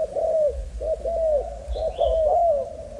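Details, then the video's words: Malaysian-strain spotted dove, young, uttering drawn-out curved coos that slide slightly downward, followed by a short faint whistle above. "Cu gáy Malaysia/chim tơ giống 55"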